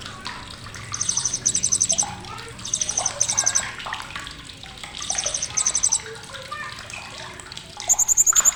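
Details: Sharp chatter of a blue-crowned hanging parrot, used to tutor songbirds: four bursts of quick, very high pulsed trilling roughly every two seconds, the last one longer, with mixed twittering of other birds underneath.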